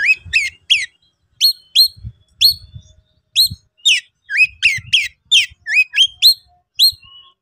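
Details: Oriental magpie-robin in an agitated state, singing to call a rival to fight: loud, clear whistled notes sweeping upward, given in short bursts of two to three notes roughly every half second, with soft low thumps beneath.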